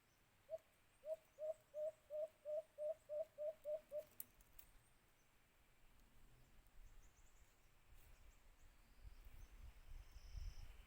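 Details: Alimokon, the white-eared brown dove, around a cage trap: ten or so rapid hollow hoots at a steady pace, ending abruptly after four seconds, then quiet outdoor background with a faint rustle.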